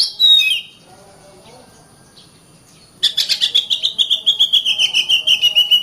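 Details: Caged Oriental magpie-robin in busy, continuous song, played so other birds will sing and fight: a brief loud slurred phrase, a quiet gap, then a fast steady trill of clipped notes slowly dropping in pitch.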